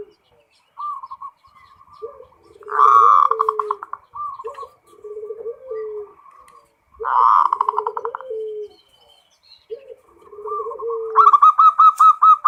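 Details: Local zebra dove delivering 'ngerot' style song: soft even notes lead into loud rolling, pulsed coo bursts, the phrase repeating about every four seconds, with lower warbled notes between and a rapid stuttering series at the close.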